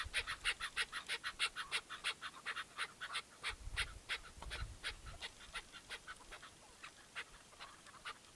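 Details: Chukar partridge tied out as a hunting decoy gives a fast, steady run of harsh repeated chuck notes, about three per second, loud at first and then easing, with brief low rumbles of handling or wind.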